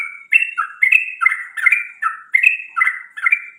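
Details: Bird whistling in the morning: clear two-part whistled notes, one higher and one lower, repeated about twice a second in a steady, bright series with no other sounds.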